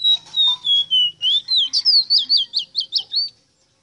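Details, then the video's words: Rosita song: several steady whistled notes descending step by step, then a fast series of about ten sharp, upward-flicking loops, all loud and clear against a quiet background. "EXTRAORDINARIO CANTO DE ESTA AVE ROSITA"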